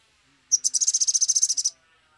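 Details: Agitated Sumatran leafbird in full song, a lure recording meant to prompt birds to sing: one sharp high note, then a rapid, evenly pulsed high trill of about fifteen beats over just over a second.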